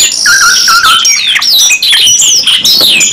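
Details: Two canaries singing hard in the 'nembak panjang' long-burst style: a sustained whistled note gives way to quick rising and falling slurred phrases and fast chips, bright and high-pitched.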